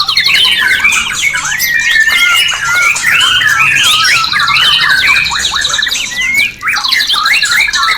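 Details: White-rumped shama (murai batu) in full song, used as night-time therapy to raise breeding condition of caged birds: a dense, continuous run of varied whistles, slurs and rapid trills, loud and rich, with hardly a pause.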